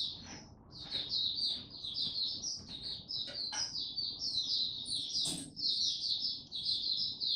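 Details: Male white-eye recorded 9 February 2022 while his song is still maturing: fast, high twittering chirps run in a near-continuous stream, with one sharp louder note near the end over a soft low background hum.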